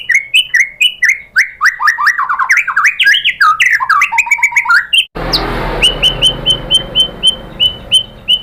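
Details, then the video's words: White-rumped shama from Indonesia singing to stir other shamas into song: fast jumbled whistled phrases and chatter, an abrupt cut, then a steady series of short identical whistles about four per second over a hiss. "memancing EMOSI MURAI BATU biar ikut GACOR BONGKAR MATERI ISIAN ¦ PANCINGAN MURAI ¦ SHAMA BIRD"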